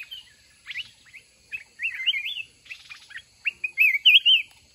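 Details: Trap-fighting session with a red-whiskered bulbul: lively warbled whistles, rising and falling, ending in a louder looping chirrup phrase near the close.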